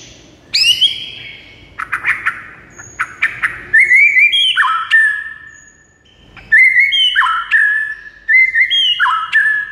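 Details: White-rumped shama song for getting a silent bird to sing: a high rising whistle and short chirps, then repeated phrases of clear whistled notes dropping in steps, given in two bursts.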